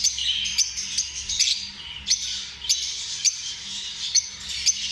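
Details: Lovebirds chatter in harsh, high, squeaky phrases, punctuated by loud sharp chips recurring roughly every half to one second.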